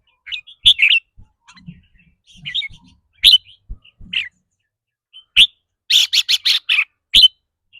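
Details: Caged red-whiskered bulbul giving its rapid 'rik' trilling, which depends on the bird's mood that day: scattered sharp whistled chirps, then a quick burst of about six loud rolling notes near the end, with faint low knocks.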